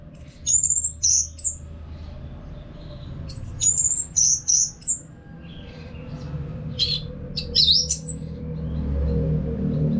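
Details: Caged Orange-headed thrush from Singaraja, North Bali, used as song therapy for other birds. Two groups of high whistled and chattering notes are separated by a pause, then a few scattered sharp notes follow over a rising low rumble.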